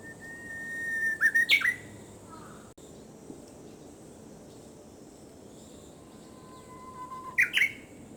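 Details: Early-summer Japanese bush warbler song, heard twice: a sustained whistled note ending in a sharp upward-and-down flourish, separated by a long quiet gap with steady background hiss.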